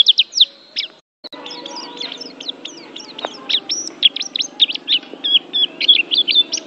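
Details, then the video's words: Oriental white-eye from Banten, an Asian champion songbird, delivering a busy high-pitched twittering song of jumbled chirps and short whistles, briefly interrupted by a moment of silence near the start. "SUARA PLECI BANTEN JUARA ASIA"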